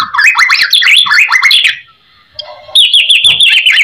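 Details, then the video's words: White-rumped shama singing loudly to draw replies from other shamas: a quick string of rising and falling warbled whistles, a brief pause, then a dense burst of high chattering and trilled notes. "MURAI BATU GACOR FULL ISIAN MEWAH MURAI GACOR"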